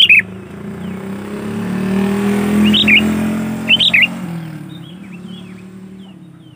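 Sooty-headed bulbul gives short bubbly, fluty phrases of three or four notes, a few seconds apart, over steady traffic rumble; fainter chirps follow.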